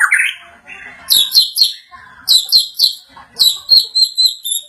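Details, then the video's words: White-rumped shama growing agitated after hearing a played sound, giving loud high whistled notes in quick clusters, with lower rough phrases at the start. "MURAI BATU MAKIN EMOSI SETELAH MENDENGAR SUARA INI"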